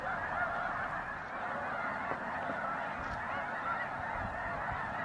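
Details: Snow geese at Bosque del Apache National Wildlife Refuge in December 2009, around sunset and sunrise: a dense, continuous chorus of overlapping honks from a large flock, steady with no pauses.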